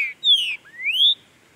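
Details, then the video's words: Territorial green-winged saltator (Saltator similis) in Brazil, singing in breeding season: a rich whistled phrase falling from high to lower, followed by a smooth rising whistle, clean and loud with no other sounds. "TRINCA-FERRO VERDADEIRO PASSEIO NO MATO PARA ABRIR CANTO! CHUIM CANTANDO MUITO QUENTE."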